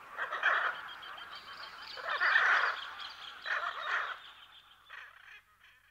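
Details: Calls from a pair of hyacinth macaws, recorded at close to medium distance with other parrots and birds behind: three harsh, rasping squawks roughly one and a half seconds apart, then softer, fading croaks near the end.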